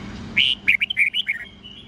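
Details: Morning song of a red-whiskered bulbul in the wild old-forest voice, 8 to 10 notes, used for training young birds: a long loud whistle then a rapid string of short warbled chirps, falling away to quiet hum.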